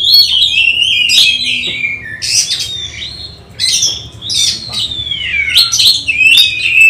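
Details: Contest-training oriental magpie-robin, kept at home, singing rich whistled phrases that rise and fall, mixed with short rasping notes and brief pauses, over a faint low background hum.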